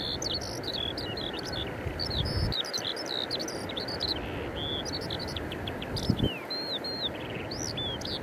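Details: Eurasian skylark in song at Eyemouth, 30 May 2024, Canon EOS 90D with Sigma 150–600mm lens; rapid, varied high twitters and rising-falling whistles pour out without pause, with steady low background rumble and a couple of dull knocks.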